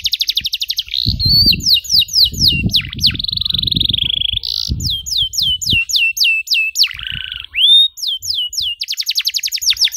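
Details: Canary in full, varied song used to train young canaries: fast trills, buzzy sustained rolls, and runs of sharp falling whistles alternating quickly, with some low background rumble.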